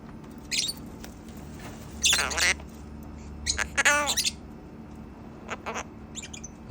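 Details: A talking pet macaw gives harsh, raspy speech-like phrases, three main bursts over about seven seconds, with a few softer squawks between, amid greetings of "hello" and low background hum.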